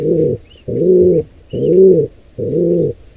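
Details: During an attack by two intruding pigeons on a wild nestling, four rounded low coos repeat about once per second, with thin rising squeaks heard faintly above.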